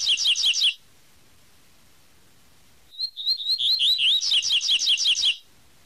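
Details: Double-collared seedeater singing the tui tui song type: a fast burst of bright, repeated wavering notes, a pause, then a soft rising whistled lead-in that speeds into a loud rapid series of twittering 'tui' notes, about three per second.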